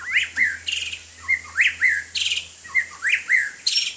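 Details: White-rumped shama singing while playing in the rain: short rising whistles, each followed by a harsh buzzy burst, repeated roughly every half second in an energetic pattern.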